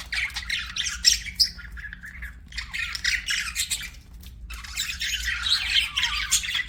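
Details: Chattering budgerigars give rapid, gritty chirps and squawks with a couple of sharp high peeps, a short pause halfway, then the warbling chatter picks up again.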